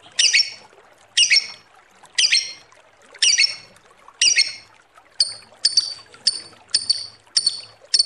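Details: Lovebird lure calls: five harsh, broad squawks about one second apart, followed by a quicker run of thinner, sharp high chirps.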